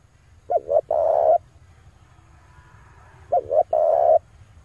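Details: Two cooing phrases of a male spotted dove played to attract wild doves, each a pair of quick notes followed by a long even coo, roughly three seconds apart, over a low droning hum.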